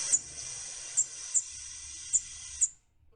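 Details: A Prairie Warbler flight call: five very short, thin, high seet notes at uneven intervals over a steady background hiss.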